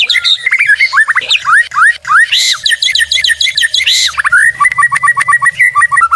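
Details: White-rumped shama, known as murai batu, giving a rich tutor and lure song: rising whistles, harsh scratchy bursts, then a run of quick falling notes and short piping whistles.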